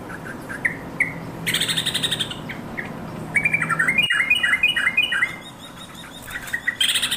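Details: Yellow-vented bulbul calling to companions: scattered chirps and a buzzy chatter, then a lively bubbling run of quick rising and falling notes stepping higher, ending with more buzzy chatter; steady hum behind.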